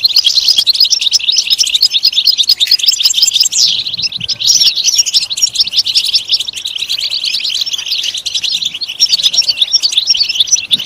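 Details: European goldfinch singing in a long unbroken stream of fast, liquid twittering, dense chirps running on without pause and growing slightly denser toward the end, played to encourage goldfinches to sing.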